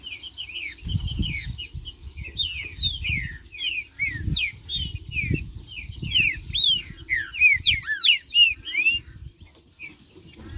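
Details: Green-winged saltator song in the marcheando style: a long series of bright, sliding whistles repeated rapidly, some rising, some falling, with low thumping knocks and faint high chirps underneath.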